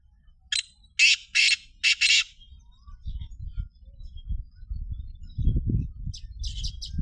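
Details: Black francolin calling: four loud, harsh, grating bursts in quick succession early on. Quieter low rumbling noise and a few faint high chirps of other birds follow.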